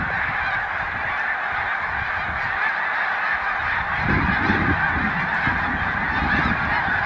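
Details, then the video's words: Large flocks of Snow Geese resting on Cayuga Lake, New York, during spring migration on 20 March 2021: a dense, unbroken din of massed honking calls, with low rumbling noise rising after four seconds. "Snow Geese On Cayuga Lake, 3/20/2021"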